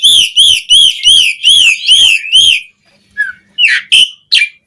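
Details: Asian pied starling song meant to excite caged birds: seven clear wavering whistles in a steady run, then a pause and a few sharper squeaky notes.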